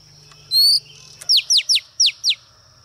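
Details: Oriental magpie-robin female kept as a lure bird, singing to provoke males: a short high whistle, then five quick descending slurred notes spaced about a quarter second apart, with a steady high hum behind.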